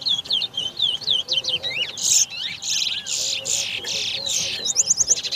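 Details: Towa towa (large-billed seed finch) competing in a 2022 bird race at the National Stadium bird ground, Guyana: rapid high whistled song of sliding, looping notes and buzzy bursts, delivered continuously with faint background voices.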